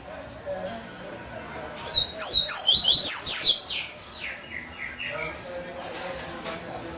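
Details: Captive double-collared seedeater gives one energetic phrase of rapid, ringing, high-pitched whistles that sweep downward, followed by softer scratchy notes and low background noise.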